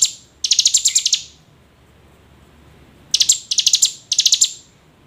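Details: Calls of a hill prinia, played to get reluctant birds calling: a long, harsh, pulsed trill, a silence of almost two seconds, then three shorter buzzy trilled bursts in quick succession.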